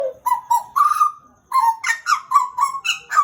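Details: Caged Pied butcherbird from Papua, Indonesia, kept as a pet for about two years, singing loud, rich whistled notes. Most sit near one pitch, some slide upward, delivered in quick fluting bursts with a brief pause midway.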